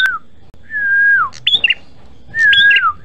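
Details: Red-headed prinia in vigorous song for luring and training: a brief falling note, a long steady whistle sliding down, a spray of high chipping notes, then another whistle.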